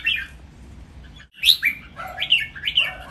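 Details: Caged red-whiskered bulbuls, three birds matched against each other, singing training-style phrases: a bright chirp, a pause, then lively whistled phrases that dip and rise, with a faint low hum behind.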